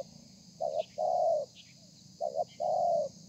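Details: Spotted dove, a wild-caught bird, singing a 'thổ pha' style song, recorded 30 November 2020. Two low cooing phrases, each a quick doubled note followed by a longer, slightly falling coo, over a steady hum.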